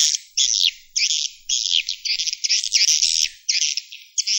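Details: Swiftlet roosting call in clean, separate bursts: buzzy, high twittering phrases about half a second long, repeated almost back to back with short silent gaps, against a quiet background.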